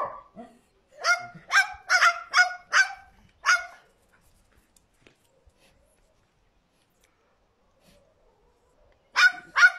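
A cockatoo barks like a dog, with a quick run of hoarse, rasping woofs and then a pause.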